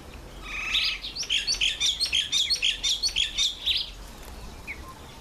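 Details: A Red-faced mousebird on its first visit to a birdbath gives a thin whistle, then a fast burst of about fourteen high twittering notes over three seconds, above a soft background hiss.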